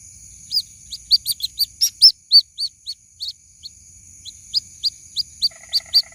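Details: A young white-breasted waterhen calls for its mother with a long series of sharp, high, upslurred peeps, about three per second, loud and uneven. A buzzy lower rattle enters near the end over a constant high-pitched hum.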